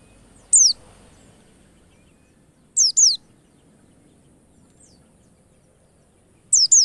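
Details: Sparse high, thin descending whistles of a white-eye, played as a lure to make birds sing quickly: one note, a pair two seconds later, and another pair near the end, with long near-silent gaps.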